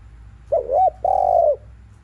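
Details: Spotted dove phrase in the afternoon, played to urge other doves to coo: two brief undulating hoots followed by a prolonged steady coo, clear against quiet background.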